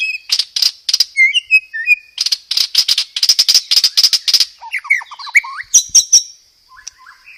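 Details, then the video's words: White-rumped shama singing loud, clear song rich in sparrow-like mimicry and dominant rapid 'roll tembak' rattles; harsh broadband chatter bursts repeated in quick series, interspersed with short whistled slurs, ending in softer twitters. "PANCINGAN SUARA BURUNG MURAI BATU isian gereja tarung, full materi roll tembak"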